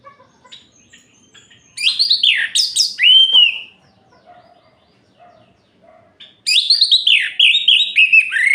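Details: Orange-headed thrush singing at night to provoke rival males: two loud, rapid phrases of swooping, slurred, high whistles and buzzy notes, separated by a quiet stretch with a few soft chips.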